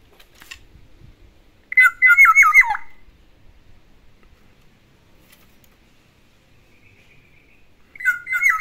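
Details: Black-naped oriole kept indoors singing mimicked song of other birds: a rapid run of curling, warbled notes falling at the close, then silence and a faint thin whistle before the phrase starts again.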